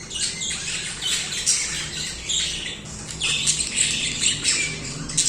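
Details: Several pet budgerigars singing continuously: dense, high chattering warble of rapid chirps and scratchy squeaks, rising and falling in overlapping bursts with hardly a pause, over a faint low hum.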